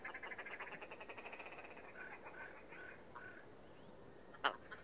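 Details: Willow ptarmigan (Lagopus lagopus), call.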